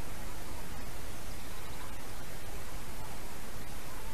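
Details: Loud, even hiss of wind or static covers the whole recording, with no animal sound.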